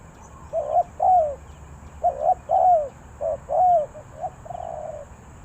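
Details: Cooing spotted dove, Ninh Thuận, Vietnam, in the three-coo style: irregular clusters of short and long arched coos, some doubled, ending in a softer flat drawn-out note.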